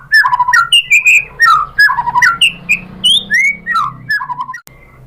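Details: White-rumped shama song aimed at provoking other shamas to sing: fluty melodic whistles rising and falling, phrases repeated with variations, mellow and tuneful.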